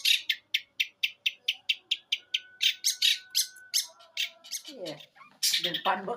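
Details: Eight-month-old long-tailed shrike from Jember, East Java, singing in one breath with mimicked material (gereja, kuntilanak, tengkek buto): a run of harsh, evenly spaced scratchy notes about four per second, then lower descending rasping phrases.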